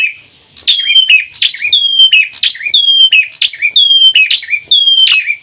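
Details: Bar-winged prinia pair, female and male, giving the lively 'ceplir' song variant: a quiet start, then clear falling whistled notes with sharp buzzy attacks, about once per second, in a steady run.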